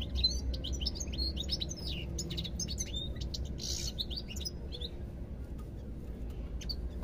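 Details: European goldfinch song: a fast, dense run of high twittering and tinkling notes in the first half, then a few sparse chirps, over a constant low background hum.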